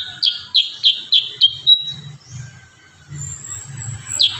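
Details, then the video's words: Kurincang giving a rapid-fire burst of song for tutoring cage birds: five quick, high clipped notes ending in a short whistle, then a pause with faint low rumbling, and one more note at the end. "Masteran burung kurincang tembakan rapat"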